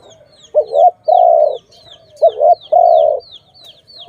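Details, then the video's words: Dove linked to bird trapping: two low two-part coos, a quick wobbling note and then a long even drone, with a pause between; thin, falling, high chirps from other birds run throughout. "Sound of good dove for letting altogether"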